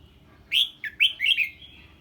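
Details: Red-whiskered bulbul reacting to a strange bird, giving one quick lively phrase of four loud, slurred whistled notes rising and falling.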